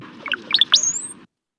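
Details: North American Brown-headed Cowbird song: a few low, liquid gurgling notes, then a thin, very high whistle that slides steeply upward at the end, reaching about 10 kHz (up to 13 kHz in some individuals).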